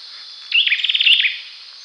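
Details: A Javanese olive-backed sunbird (Cinnyris jugularis) gives a quick, high, thin twitter of about a dozen rapid notes lasting under a second, over a steady high hiss.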